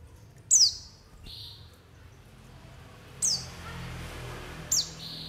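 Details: White-eye calls played to lure wild birds for trapping: crisp, high, downward-sweeping notes, one followed by a flat, softer whistle, with irregular gaps of one to two seconds and faint background noise.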